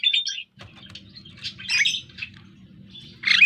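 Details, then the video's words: A Javan myna learning to sing chatters out a jumble of harsh, scratchy, high notes in short bursts, over a steady low electrical hum. "Suara Burung Jalak Kerbau / Kebo....Belajar Gacor"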